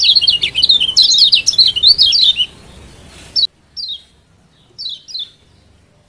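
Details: Lombok mountain white-eye from Lombok, used to coax a lazy bird into song: rapid high warbling twitters rising and dropping for over two seconds, then short sharp downslurred chirps in near silence.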